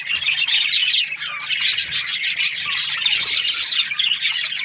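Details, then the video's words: A steady, unbroken wash of high budgerigar chatter, many squeaky chirps and warbles overlapping throughout, with a faint low hum underneath. "Budgies parrot chirping sounds"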